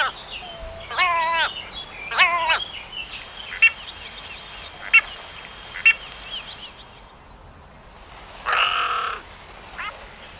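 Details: Common raven calling in a hissing, noisy setting: hoarse, harmonic croaks with a falling, stepped pattern, spaced a second or more apart, plus a few short clicks and a faint steady high tone.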